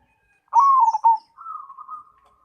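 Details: Cemani perkutut, a zebra dove, gives one loud, burbling coo that dips in pitch, then a level soft rolling trill, on a silent background.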